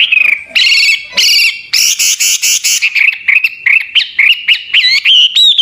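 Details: Hwamei singing as a training model for other songbirds: harsh buzzy bursts at the start give way to clear, looped, upward-curving whistles repeated in quick succession.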